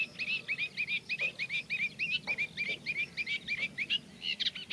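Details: Singing in reeds, a Eurasian reed warbler mixes its slow, scratchy song with imitations of other birds; quick repeated upslurred chirps with buzzy overtones, roughly three per second, continuing without a break.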